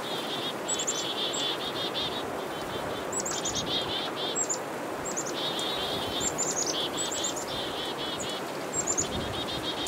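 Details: Black-capped chickadees mobbing a northern pygmy-owl give repeated buzzy dee notes with high chips, a busy scolding chorus against steady background hiss.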